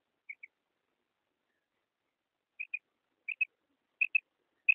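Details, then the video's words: Female common quail, a call used for morning and night quail hunting, gives short, high, paired chirps. The doubled notes come closer together and louder over a few seconds, with nothing else heard. "Female common quail sound Madi batair ki krik"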